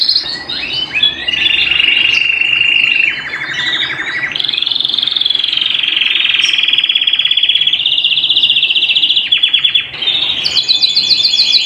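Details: Canary singing at home: a long, loud rolling song of rapid trills, with an opening of short chirps sliding into sustained buzzy rolls, then a brief pause and a final burst of very high, fast notes.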